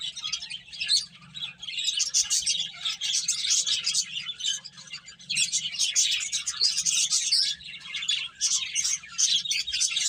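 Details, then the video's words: A group of finches eating and playing, giving bouts of dense high-pitched chirping that swell and ease, with the calls packed into fast overlapping tweets. "Cute Birds Chirping Sounds | Beautiful Finches Eating and Playing"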